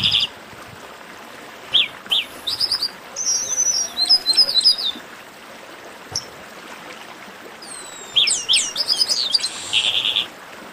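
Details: Chestnut-capped blackbird esquenta (warm-up) singing: scattered sharp chirps, then a run of clipped whistles in the middle, and later falling whistles leading into quick repeated notes and a short buzz.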